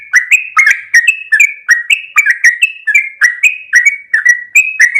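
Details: A sooty-headed bulbul delivers a bold, energetic song of rapid whistled notes, each short phrase bending up or down, repeated in a steady chattering run over five seconds.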